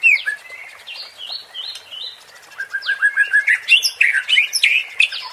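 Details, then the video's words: White-rumped shama singing a 'pancingan' song for stirring competition birds: a jumbled rush of varied whistles and chirps, building to a louder, dense burst of rapid notes near the end. "MURAI BATU JADI TERPANCING EMOSI DENGAN SUARA PANCINGAN INI | shama bird | murai batu"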